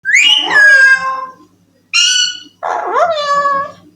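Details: Young pet ringneck (Alexandrine) parakeet talking, saying "I love you" in three quick, nasal, voice-like bursts; no other sounds are clear.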